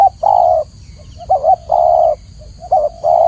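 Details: Low, rich cooing from a spotted dove, long even notes broken by shorter wavering coos, with a soft constant hum in the background.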